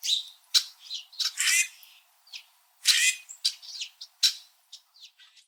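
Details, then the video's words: Several red-winged blackbirds perched high in backyard trees in Southern Ontario, Canada, in winter, noisily chirping at each other: sharp, high chips and scratchy squawks arriving in irregular bursts, some loud and some softer, fading into faint notes at the end. "Red-winged Blackbird Winter Calling and Chirping Sounds"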